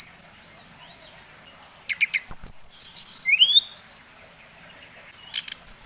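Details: Bali-type brown-chested jungle flycatcher giving a provoking song to stir rivals: a brief rough note, then a long slurred whistle dipping and rising, with quiet stretches before and after.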